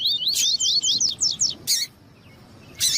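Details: Double-collared seedeater with a female calling to excite the male: rapid series of upslurred whistled notes, several per second, closing with harsh broadband bursts and a short pause.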